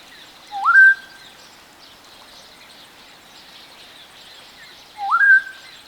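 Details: Western black-headed oriole (Oriolus brachyrynchus), song.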